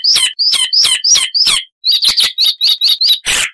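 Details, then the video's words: Icterine warbler song, a species noted for loud, chattering, richly varied song with mimicry of wild birds: a run of five high, slurred descending phrases, a short pause, then six quicker repeated chirped notes and a final harsh burst. "Icterine Warbler (Hippolais icterina)"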